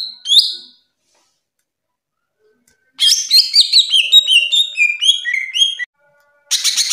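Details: Caged greater green leafbird singing: a short whistled note, a pause, then a quick series of sliding whistles interleaved with high chips, followed by a harsh buzzy burst.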